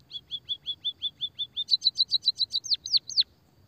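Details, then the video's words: Emprit kaji munia singing a lure and therapy song. About a dozen evenly paced short chirps give way to higher doubled notes, then three loud whistles that fall steeply, then quiet. "pancingan suara burung pipit emprit peking bondol kaji gacor kikikikikik"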